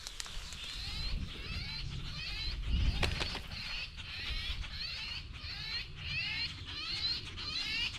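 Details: A flock of invasive European starlings raiding chicken and pig feeders on a farm, many talking in summer trees, keeps up a steady overlapping chatter of scratchy, squeaky notes, with low wind rumble and a few handling knocks.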